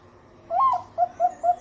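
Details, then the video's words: Zebra dove of the Bangkok type giving its melodious lure song to stir other doves: a loud rising and falling opening coo, then three short, evenly spaced coos, with a steady low hum. "Pancingan perkutut suara merdu"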